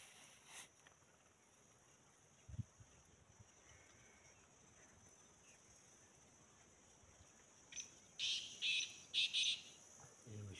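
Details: A black francolin gives a short run of four harsh, grating notes near the end, over a steady high insect drone and a brief thump.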